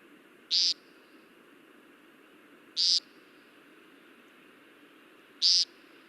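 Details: An American Woodcock, a species at risk in Newfoundland that is most active at dawn and dusk, gives three short, buzzy, nasal peents, each about a quarter-second long and roughly two and a half seconds apart, over a steady low hum.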